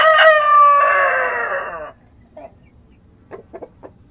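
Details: Rooster crowing at dawn in the countryside: one loud, harmonic crow lasting nearly two seconds that holds steady and then trails off, followed by a few short, soft clucking notes in a quiet rural setting.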